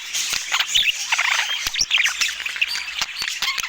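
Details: Budgerigars during a meal, clear bursts of curling warbles and short squeaky chirps mixed with frequent crisp pecking or cracking clicks.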